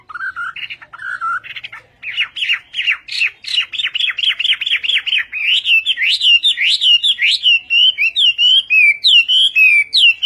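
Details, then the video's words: Chinese hwamei (họa mi tây) singing in the Vietnamese song style: a couple of lower whistled phrases, then a long, loud run of rapid slurred whistles, each note sweeping up and down, growing richer and more varied, with no other sounds. "HỌA MI TÂY - TIẾNG HÓT VIỆT"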